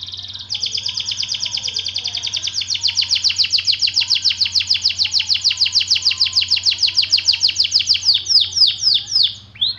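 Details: White AF canary in long-duration song: an extended, very rapid trill of high notes that grows louder and clearer, then breaks into a few slower, deeper descending slurs at the end; a low steady hum underneath.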